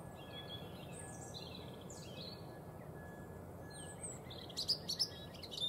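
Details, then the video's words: European robin delivering thin, high warbled phrases that glide up and down, ending in a few sharp ticking notes, against steady low rumbling noise. "European robin"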